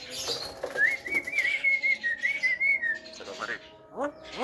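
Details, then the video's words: Male Javan myna said to be able to talk, singing a long wavering whistled phrase that rises then slowly falls, followed by a quick run of short harmonic rising notes, with faint background chatter. "OCEHAN BURUNG JALAK KEBO JANTAN BISA BICARA"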